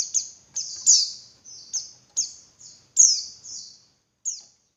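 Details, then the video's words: Female Javan white-eye calling to bait males into singing: a series of high, piercing, downslurred whistles with sharp onsets, irregularly spaced, roughly two per second, over a quiet background. "Suara Burung Pleci Betina Buat Pancingan Pleci Jantan Biar Ngalas Lebih Ngotot"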